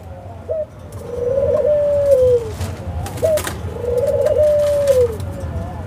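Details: Australian dove giving soft repeated coos, each a brief rising note followed by a drawn-out, wavering tone that falls away at the end, twice in succession, with faint clicks and a low hum behind.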